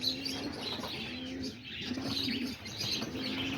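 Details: Roller pigeons sitting on a loft roof in the early morning, around 9:30–10:00, give low, steady hooting coos about every second, with bright twittering chirps from small birds above.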